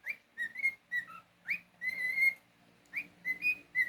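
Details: Tame male cockatiel indoors giving a rapid run of pure whistles: upward-sweeping chirps, short level notes and one long steady tone, roughly a dozen notes in under four seconds.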